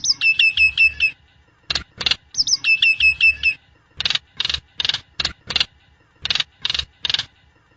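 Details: Nias hill myna singing, intended as a master recording or lure: bursts of six rapid repeated warbled notes, then a series of sharp, harsh broadband notes spaced about half a second apart.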